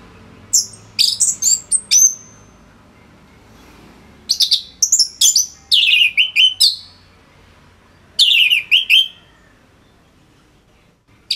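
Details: Orange-headed thrush in full song, used as a tutor for other songbirds: clusters of sharp, high whistled notes and rapid chirpy trills in short bursts separated by brief pauses, on a quiet background.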